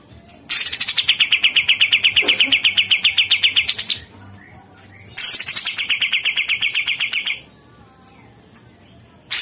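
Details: Masteran recording of Cucak jenggot (Grey-cheeked Bulbul): a loud, fast, even trill of sharp pulses lasting about three seconds, a pause, a second shorter burst, and the start of a third.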